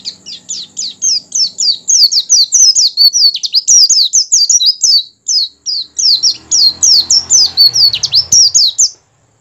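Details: Kept Oriental white-eye in full open-beak song, meant to trigger singing in other white-eyes: sustained, fast, high-pitched stream of falling chirps and trills for about nine seconds, with a soft low rumble midway.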